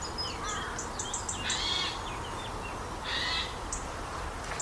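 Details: Eurasian Jay in Portuguese woodland, giving harsh alarm screeches: two rasping, broadband bursts about a second apart, with faint high thin chirps from other small birds and a low background rumble.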